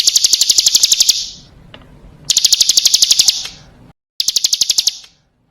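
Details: Female Bar-winged prinia calling to males, used as a lure: three short bursts of rapid, high ticking notes, separated by pauses with faint low background noise and an odd tap.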